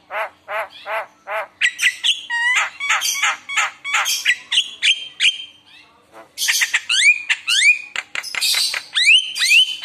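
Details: Gacor Javan myna singing a lure song full of isian fill-ins, meant to prompt other mynas to respond. Opens with evenly spaced nasal notes, then crowded squawks, bright whistles and sharp upward-sweeping calls with a short lull.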